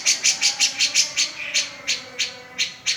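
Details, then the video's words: Cica jenggot singing energetically, presented as a sound that makes silent birds start singing within a minute: a series of short, bright, high chirps repeated about every quarter second, fairly steady, over a faint background hum. "Suara cica jengot gacor"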